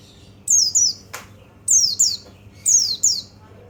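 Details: Paired, falling high-pitched notes from a white-eye (pleci), used to excite other birds, repeat about once per second, with a sharp click between the first pairs.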